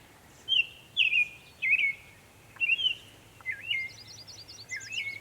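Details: Northern mockingbird, Savannah, New York, 23 May 2021, making many sounds: a string of bright slurred notes about half a second apart, ending in rapid looping high trills and a lower swooping phrase.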